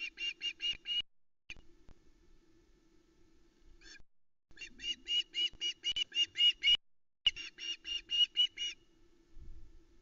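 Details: Juvenile Ospreys on their Loch Arkaig nest, summer 2020, begging loudly for a fish delivery, recorded on nest cam: rapid, rhythmic series of piercing piped notes, about four a second, in three long bursts over faint hum.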